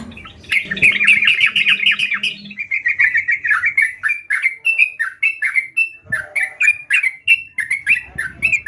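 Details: Sooty-headed bulbul singing vigorously (gacor): a burst of fast chattering notes, then a long run of short, bright whistled phrases, several per second, fairly irregular.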